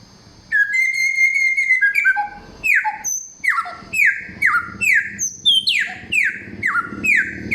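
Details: Samyong singing a loud, clear song, many-voiced, with forest-bird material: a long level whistle with buzzy overtones, then a run of repeated sharply falling whistled notes, about two per second.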